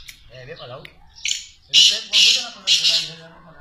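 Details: Captive black francolin kept by its owner gives three loud, harsh, grating notes in quick succession, after a brief murmur of a human voice indoors.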